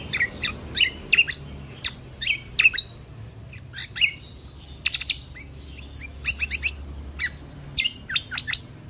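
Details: Lesser green leafbird performing full 'tembakan kunti' song for contest bird training: varied rapid chirps, slurred whistles and clustered sharp notes in irregular bursts over a low background hum.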